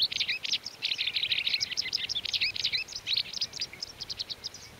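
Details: White wagtail recorded in May 2019 in the mountains of León, Spain: a fast, continuous run of high, sharp twittering chirps, several per second and irregularly spaced, with a faint hiss of background noise.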